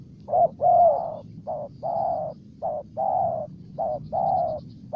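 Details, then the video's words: Spotted dove in Ninh Thuận, Vietnam, giving loud hollow coos in a steady pattern, a short clipped note followed by a longer drawn-out one, about nine notes in five seconds; faint high chirps from other birds in the background. "Cu Gáy Ninh Thuận"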